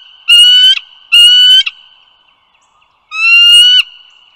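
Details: Bald eagle calls recorded by the Dulles Greenway in northern Virginia on the morning of 16 April 2022. Two quick, upward-sliding nasal whistles come close together, then a third follows after a pause, with a thin steady tone underneath.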